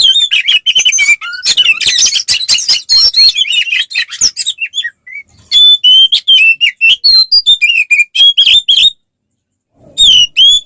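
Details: Oriental magpie-robin fighting song used to rile rival males: a hectic jumble of chirps giving way to clear, loud whistled phrases with upward and downward slurs, ending after a brief silence with a few more sharp notes.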